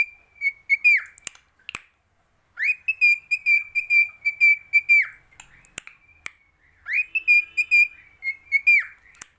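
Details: A gray cockatiel whistles a bright song of rapid, level notes in long repeated phrases.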